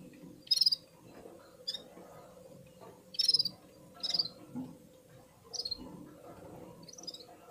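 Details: Red-fronted serin warming up, singing alongside other birds; bursts of high, buzzy, trilled twitters come in irregular phrases every second or two, separated by quiet gaps with soft low background noise.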